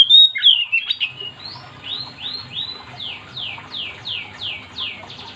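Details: Oriental magpie-robin (kacer) in full voice, a song said to prompt other magpie-robins to join in: a few loud whistled notes, then a steady series of about ten sharp downslurred notes, roughly three per second.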